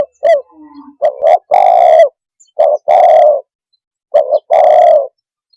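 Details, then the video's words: Spotted dove (tekukur) calling to quickly agitate other birds: three loud cooing phrases, each a couple of short notes running into a longer throaty, buzzy coo, spaced about two seconds apart, with a faint low whistle early on. "Suara kicau Burung TEKUKUR cepat membuat Emosi burung - TEKUKUR鸟的声音"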